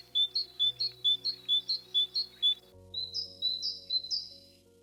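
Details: Eurasian Blue Tit in Ukraine: a quick series of high, thin two-note chirps, about two per second, over soft background music.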